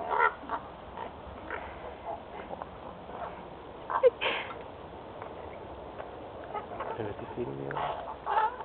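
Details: Crows calling, which reminded the recorder of parrots; scattered short, harsh broad calls and a brief evenly stacked, nasal call near the end, over a steady background hiss with a voice nearby.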